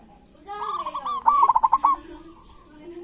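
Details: A local zebra dove gives a single rippling trilled coo in kerot and bekur style, used as a lure for doves reluctant to sing. The coo begins softly, swells into a stuttering roll, then fades under faint low cooing.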